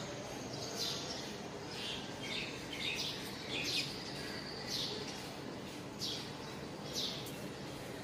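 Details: Sparrow chirping: short, bright chirps repeated irregularly through the recording, some in quick pairs, over a steady hiss of background noise.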